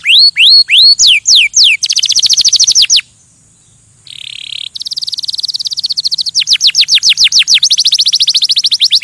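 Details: Canary song opening with loud hooked whistles, followed by a rapid high trill, a short silence, a buzzy roll and long runs of quick descending notes.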